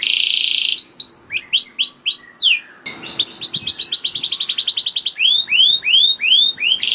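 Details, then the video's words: Canary song to encourage other canaries to sing: opens with a harsh buzz, then looping whistled slurs, a rapid rolling trill and a string of arched whistles repeated roughly twice a second. "Langsung Nyaut Gacor Dor Kenari Apa Pun Dengan Pancingan Kenar Gacor Ini || Voice of Canary"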